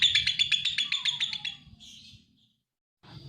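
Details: Lovebird giving a quick burst of buzzy chattering pulses for one and a half seconds, then a short fading squeak and near silence before a faint noise returns.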